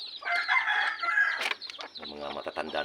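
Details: A single manok labuyo, or red junglefowl, from a kept flock crows once for about a second in a strong harmonic phrase that falls off sharply. Lower buzzy, voice-like sounds and clucks follow.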